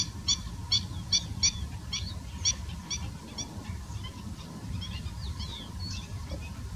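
Collared Pratincoles give sharp, chattering kit-kit calls in quick bursts over steady low wind rumble, with fainter calls trailing off.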